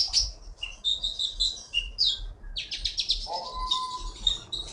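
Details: Champion caged Blue-winged Leafbird from Bangka, singing a rich, continuous mix of high warbles, trills and whistles, with a lower steady tone joining midway and a constant low rumble beneath.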